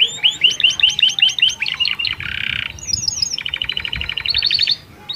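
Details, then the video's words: Canary singing a varied song meant to stimulate females for breeding: fast repeated high chirps, a short buzzy burst, then rapid trills of clipped notes, with faint background hum. "Kenari Gacor cengkok unik Masteran paud pancingan birahi betina/kenari kawin"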